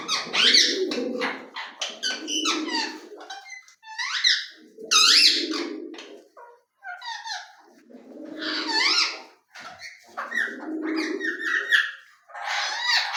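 A ring-necked parakeet chatters in bursts of squeaky, voice-like syllables and sharp rising squawks, with brief pauses, indoors.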